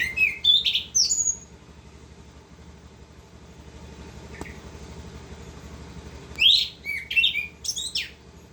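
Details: Orange-headed thrush singing continuously in the rolling 'ngerol' style: a burst of high, sharp whistled and slurred notes, a long pause with faint background hum, then another rapid cluster of varied chirps and whistles near the end.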